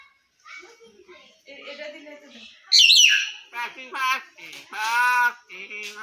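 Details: A talking hill myna utters speech-like phrases of voiced, harmonic syllables, then a sharp high squeal near the middle, followed by several buzzy, voice-like utterances with short pauses between them.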